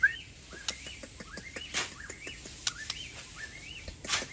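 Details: White-rumped shama from Aceh singing near a tennis court, 'bongkar isian' style. Repeated arching whistled phrases come about every half second over background hiss, with sharp clicks and knocks scattered throughout.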